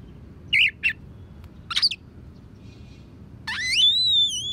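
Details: Oriental magpie-robin song filled with tree sparrow and prinia imitations, used as a master recording for training other songbirds: scattered high chirps, then a loud rising whistle trailing into wavering tones, over low background rumble.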